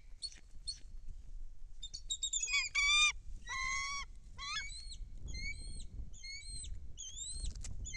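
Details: Bald eagle at a nest in Kisatchie National Forest, filmed by nest cam, 10 December 2023, as a foreign female flies in with a fish and another eagle circles overhead; high, thin chattering calls in stacked whistled notes, then repeated short slurred squeals, with wind rumble.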